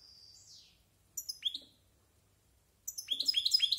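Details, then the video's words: European goldfinch, a bird over a year old rehearsing its varied song in the Spanish silvestrismo tradition: a high thin slurred note, then a short cluster of bright twittering notes, a silence, and a rapid burst of chirps. "Estimulante Jilguero Cante de Jilguero"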